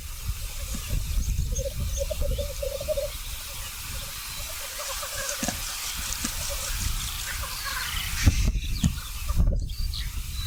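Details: Black grouse at a lek in North Wales: a steady bubbling, rolling coo runs in long dotted phrases at low-mid pitch, with strong low wind rumble and a few faint higher chirps.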